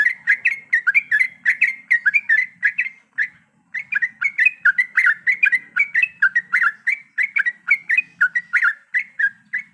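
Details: Female yellow-vented bulbul calling the male while in breeding condition: lively chattering bubbly phrases of quick whistled notes, briefly pausing midway, then resuming just as fast, over a faint low hum.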